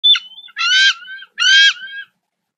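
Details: Female bald eagle at a nest in South Florida, feeling amorous in the morning: three loud calls, a thin high whistle then two harsh, chattering, harmonic squeals, each about half a second, separated by short pauses.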